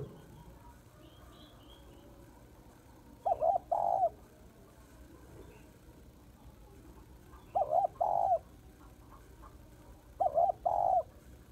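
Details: Female spotted dove calling to stimulate males; three two-part cooing phrases, each a brief wavering coo and a longer held coo, spaced about four seconds apart, with quiet background hum.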